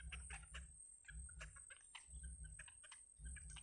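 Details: Yellow bittern babies in the nest being fed by the mother: sharp short squeaks and chips scattered about once a second, mixed with pulsing low rumble and a continuous high-pitched hiss.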